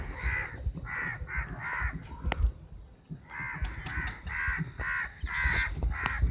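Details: A crowd of crows battling over a chapati; rapid harsh caws in quick series, a brief pause, then more grating calls, with clicks and thuds from below.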